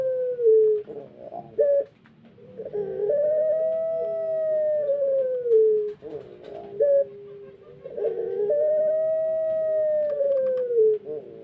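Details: Long crows from a pelung chicken, its voice still below full strength: smooth, sustained tones swelling then gently falling, each lasting several seconds, separated by brief choppy notes, with faint background murmur.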